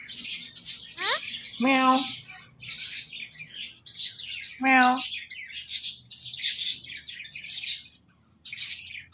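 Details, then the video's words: An Indian ringneck parakeet mimics speech: two strong harmonic syllables about three seconds apart, surrounded by a dense wash of high chirps and twittering. "The Best Indian Ringneck Talking Parrot"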